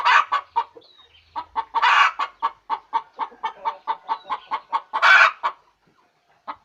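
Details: Hen's egg-laying cackle: two loud hoarse squawks frame a long, even run of rapid clucks, followed by near silence and one last faint cluck.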